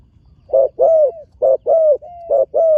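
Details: First-time spotted dove on the earthen competition ground giving loud, close mellow coos: three pairs of a short low note followed by a longer coo that trails off in a soft falling tail.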